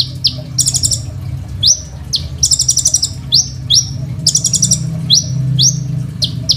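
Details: Lively Crimson sunbird singing, a phone recording meant as a master song for tutoring other songbirds: rapid high upslurred chips in runs, broken by two or three rattling buzzy trills, over a faint low hum.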